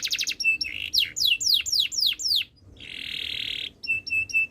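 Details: Canary delivering a varied song: quick trill, a run of loud descending whistled sweeps, a short pause, then a sustained buzzy rolling note and clipped repeated chips.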